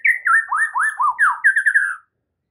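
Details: White-rumped shama singing a full-fill masteran tutor song: loud clear whistled phrases swooping up and down, ending in a quick run of four repeated falling notes, with faint high squeaks above.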